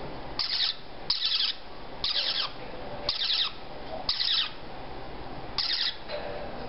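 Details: Several captive baby parrotlets, 3 to 4 weeks old and all female, just beginning to feed themselves and bobbing their heads, give harsh, raspy bursts about once a second, six in a row.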